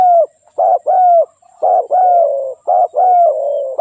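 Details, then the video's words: Spotted dove giving low, mellow coos in paired phrases: a brief hoot, then a longer, sustained coo that sinks a little at the end. The phrases repeat without a pause. "เสียงนกเขาใหญ่/suara burung tekukur"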